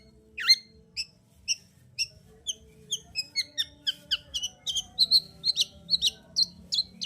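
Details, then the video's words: Vigorously singing long-tailed shrike, meant to push a quiet shrike into song: a long, steady series of high, thin, clipped whistles and chirps, about two per second, growing busier toward the end. "Pancingan Cendet Gacor Untuk Menaikkan Emosi Cendet Malas Bunyi"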